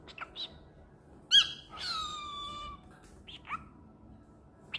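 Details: Male cockatiel (Nymphicus hollandicus), flexing his wings, gives a sharp screech, then a long harsh call sliding downward, with brief chirps around it.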